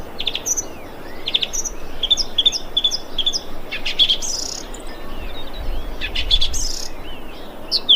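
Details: A thrush, recorded 25.2.2021, gives short, sharp, high chirps and whistled notes in quick bursts, several per second, over a steady low rumble of background noise.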